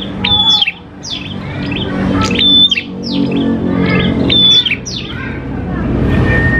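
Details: Prinia song used as a lure to make prinias sing quickly. Bright whistled notes break into rapid downward chirps, repeated about every two seconds, over a steady low hum, ending with a thin lower whistle.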